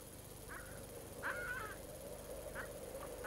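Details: A skua at Cape Crozier, Ross Island, Antarctica, in summer near an Adélie penguin colony it raids for eggs and chicks, gives harsh, nasal calls: a short one, a drawn-out squawk, then three clipped notes, over wind-like rumble.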